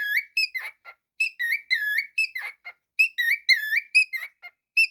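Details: Pet cockatiel whistling a tune indoors: clear harmonic whistled notes, some level and some sliding up or down, in quick phrases broken by short buzzy rasps, the phrase pattern repeating about every one and a half seconds.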